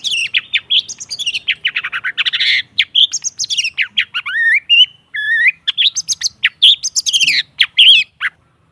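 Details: Long-tailed shrike song played as a pancingan lure to get silent caged birds singing again. A fast, varied stream of chattering notes mixes with clear rising whistles and sharp twangs, with brief pauses, on a quiet background.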